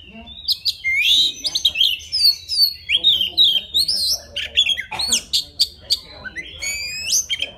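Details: Song of a wild Oriental magpie-robin calling for a mate: clear whistled phrases mixed with upward-sweeping notes and rapid chatter, repeated in lively bursts.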